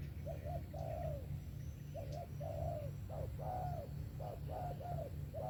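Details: Sấm thổ style coo of a spotted dove, 'về tàng kèm 123': short mellow hoots followed by longer drawn, falling notes, repeated in rhythmic sets over a constant low droning hum.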